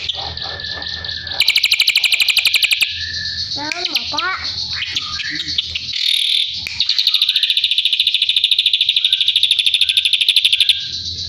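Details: Drongo song used as training song for a white-rumped shama: a varied run of high whistles, rapid buzzy trills and slurred descending notes, with a long steady high trill near the end and a faint low hum beneath.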